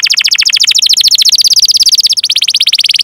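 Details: Long canary song meant to prompt young or silent canaries into singing: a fast, steady rolling trill of buzzy repeated notes with a brief break, then the rapid trill resumes at a slightly higher pitch.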